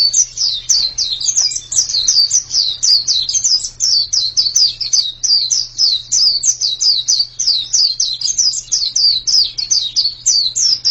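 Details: Long, dense song from a white-eye (pleci): rapid high twittering chirps packed tightly for eleven seconds with barely any breaks, a low hum underneath.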